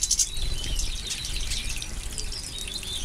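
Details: European goldfinches in full moult, at bath time, twitter in a fast, tinkling jumble of high chirps and trills, with splashing water and a low background rumble.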